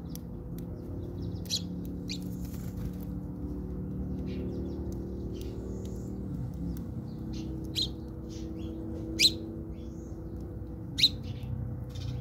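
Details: House sparrows fighting in South Africa: scattered sharp, high chirps and short bursts come irregularly, a few louder ones standing out, over a steady low hum and music-like drone throughout.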